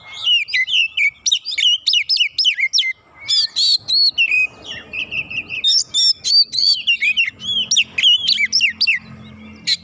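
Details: Oriental magpie-robin singing at a rival in an excited state: quick repeated sliding whistles and sharp chirps in a near-continuous stream, with a faint low hum near the end.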